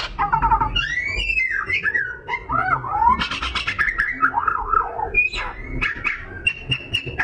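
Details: An Oriental magpie-robin pours out a fast, varied song of rich whistles, sweeping slurs and sharp chips with no pauses between phrases. The recording is meant to stimulate other birds into singing.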